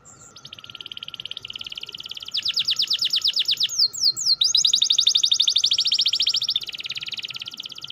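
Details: Canary delivering quick rolling 'ngerol' song intended to trigger a sluggish canary to sing: a long chain of fast buzzy trills changing pace, with two brief downslurred whistles near the middle. A steady low hum persists throughout.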